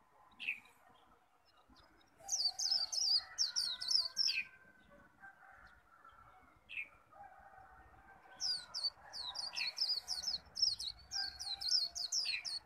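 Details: Japanese white-eye in a singing contest, khuyên líu style: two bursts of rapid, piercing, high descending whistles separated by a quiet gap with a few lower chirps, the second burst longer and more frantic.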